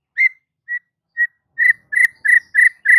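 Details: White-rumped shama (murai batu) used to provoke other shamas into song: evenly spaced, clear whistled notes that quicken after three slow ones into a steady, ringing series. A sharp click sounds midway.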